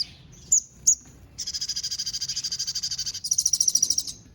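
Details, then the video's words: Caged sogon singing with mimicked sparrow, cililin and canary song. High chirps, then a fast buzzy trill of rapid repeated notes for nearly two seconds, followed by a brighter, quicker trill. "Sogon isian Gereja sambung cililin sambung kenari"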